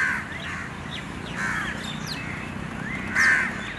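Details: Little bird chasing its mother for food in the morning, giving short harsh calls near the start, middle and end, against constant broadband background noise.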